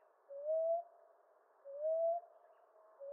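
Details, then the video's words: Common ground dove (Columbina passerina) with two full soft rising coos about 1.3 seconds apart, then the start of a third; low, hollow, gently upswept notes. "Ground Dove Sound"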